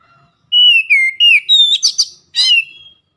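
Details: Oriental magpie-robin giving a loud ngeplong lure phrase: clear, long whistles that dip slightly, then a rising tone and two rough, scratchy notes, with a trailing whistle to close.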